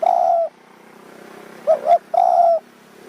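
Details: Spotted dove at a decoy luring spot in Kanchanaburi mountain forest, Thailand, in the evening. A long steady coo fades, a faint low hum underneath, then a double coo and another drawn-out note.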